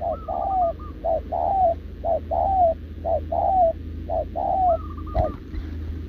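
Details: Caged wild-caught spotted dove cooing repeatedly beside a decoy bird, recorded 6 November 2024. Paired coos, a brief note then a drawn-out descending one, about one per second, with a higher trilled phrase at start and near the end and one sharp click.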